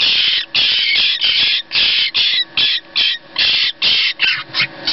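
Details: Very noisy hand-reared jackdaw nestlings, rescued after builders disturbed their nest, give harsh, rasping, hissy calls in quick bursts, about two a second, with short gaps between; no other clear sounds.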